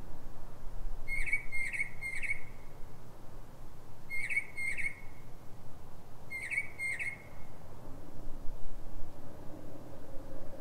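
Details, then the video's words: Mockingbird singing in darkness at 3:44 a.m. in Silver Spring, Maryland: three groups of sharp clipped notes, repeated three, two and two times at even spacing, with quiet low background rumble between phrases. "Northern mockingbird (Mimus polyglottos) — night singing"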